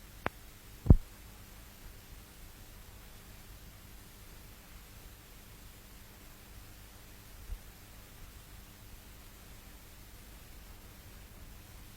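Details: Near silence with a low steady hum and two sharp clicks at the start; no animal calls.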